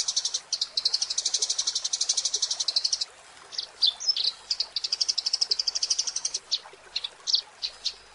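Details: A Eurasian tree sparrow master song for training birds: a rapid pulsing trill, then scattered chirps and another trill, over a steady background hiss.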